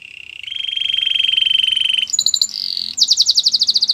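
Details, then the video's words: Singing canary for training a silent bird: a long, steady, low buzzing roll lasting two seconds, a brief high chatter, then a rapid run of bright repeated notes. "Your canary is quiet? Will sing again after listening to this"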